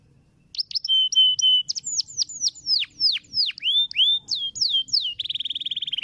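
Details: Canary long roll song used as a master recording to train other songbirds for contests. It opens with a steady whistled note, then loud, downward-sweeping whistles repeated about three per second, and ends in a fast, even high trill.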